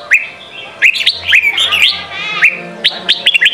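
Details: Training song for young Red-whiskered bulbuls, Sông Kon style: sharp upslurred whistles and a rolling warble in the middle, followed by several quick chirping notes near the end, faint low hum beneath.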